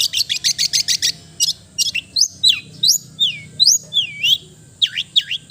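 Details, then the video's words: A rapid string of harsh high notes from a long-tailed shrike gives way to varied whistles, rising and falling in loops, some sliding steeply downward. "the melodious sound of the cendet bird"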